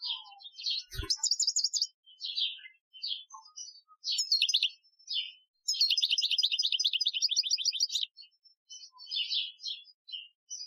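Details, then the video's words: European goldfinch singing an Algerian-style training song, 2015: lively high twittering phrases, liquid chirps and fast buzzy trills, with a long rapid rattling trill in the middle and brief pauses between bursts. "Chardonneret Chant Algerien 2015 , chant de dressage"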